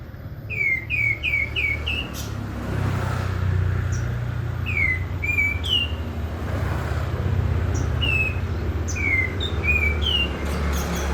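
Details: Prinia singing vigorously over constant traffic rumble: a fast run of four falling whistles at the start, then scattered single and paired slurred whistles.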